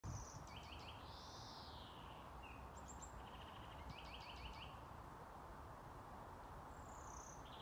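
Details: A European greenfinch singing very intensively in a grove in Haga on 16 May 2020, with quick, high twittering trills and a drawn-out wheezy note that rises and falls, over a steady low background rumble.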